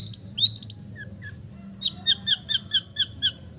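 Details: Long-tailed shrike from East Java singing a relaxed, fill-rich song: a few sharp high chirps, then an evenly spaced run of seven bright two-part notes roughly every quarter second over a low background hum.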